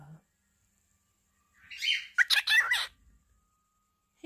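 A cockatiel mimics human speech in a short burst of raspy, chirpy syllables.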